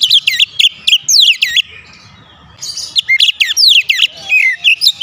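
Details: Oriental magpie-robin kept at home, singing loudly: rapid rolling sequences of sweeping, looping notes, a pause of about a second, then another energetic burst of chattering whistles.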